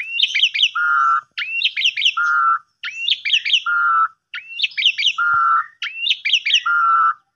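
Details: Asian pied starling singing a lure song for silent or sulking birds: five repeated phrases, each a cluster of quick rising whistles followed by a lower flat whistled note, roughly every one and a half seconds.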